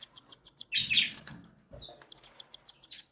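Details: A mother cockatiel feeding her three small chicks. Rapid rhythmic high pulses lead into a loud buzzy squeal, then the fast ticking begging resumes.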